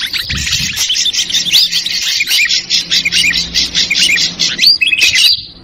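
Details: Ashy drongo 'trucukan ribut' lure call: a fast, harsh, buzzy chatter of pulsed notes at steady pace, with short hooked whistles scattered through and a sustained high note at the end.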